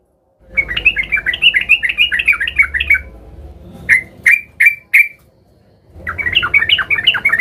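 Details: Yellow-vented bulbul in an excited, agitated state seeking a rival: a long jerky warbled chatter, then four loud harsh notes, a pause, and another burst of chatter.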